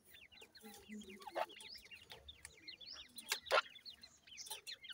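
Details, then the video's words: Grey francolin chicks being fed: quick series of high rising peeps, some short level whistles, and a couple of loud knocking bursts. "irani teetar chicks baby feed"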